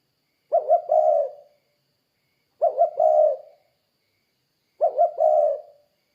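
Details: Spotted dove repeatedly calling as a lure for derkuku doves: three identical low phrases about two seconds apart, each two short clipped notes and a longer mellow coo.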